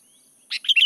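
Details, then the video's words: Sooty-headed bulbul (kutilang) song used to lure birds: a short bubbly phrase of quick, liquid chirping notes rising and falling, with a steady high hiss in the background. "KICAUAN KUTILANG PIKAT SIJABRIG"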